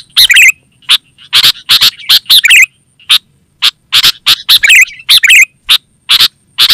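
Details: Sooty-headed bulbul (kutilang) call played to lure forest birds and train home birds to answer: busy, irregular harsh chatter and bubbling warbled phrases, several notes per second, with a faint high hum throughout.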